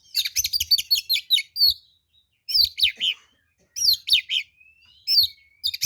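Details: Oriental magpie-robin giving an aggressive fighting song as a lure, rapid clusters of sharp whistled and scratchy notes in bursts of about a second, separated by pauses with faint thin whistles.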